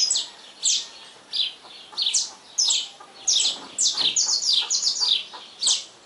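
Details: Saffron finch singing a lot at dawn gives bright, high chirps and short buzzy trills in quick, uneven bursts, at times several notes a second, over faint background hiss.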